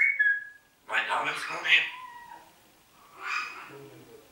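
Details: Talking parrot kept as a pet in Hammelburg, Germany, imitating human speech: a short whistled tone, then a raspy, voice-like phrase of mixed pitch, a pause, and a second shorter speech-like burst, in a quiet room.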